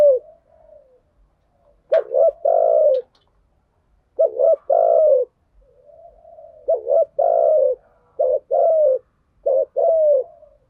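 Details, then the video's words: Lure calls of spotted doves, cock and hen, in the thuc gu and gay goi song styles: soft low coos, then about five loud phrases of a short stuttered note plus a long gently falling coo. "Tiếng chim cu gáy mồi giọng lôi cuốn hấp dẫn đủ bài[ THÚC GÙ , GÁY GỌI ]"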